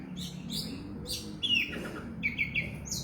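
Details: Oriental magpie-robin delivering a short, energetic burst of song: raspy high notes, a bright slurred whistle, then three quick clear whistles in a row, with low murmuring background noise.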